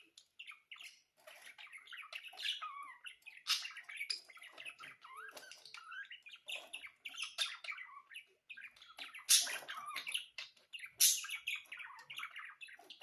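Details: Budgerigars keep up a long, rambling warble of soft chirrups, clicks and whistles, punctuated by several loud, sharp squeaks.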